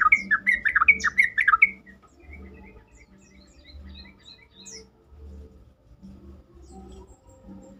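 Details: A Sooty-headed bulbul gives a quick, bubbly phrase of fluty notes lasting under two seconds, used to prompt other bulbuls to answer and sing, followed by faint scattered chirps over a steady low hum.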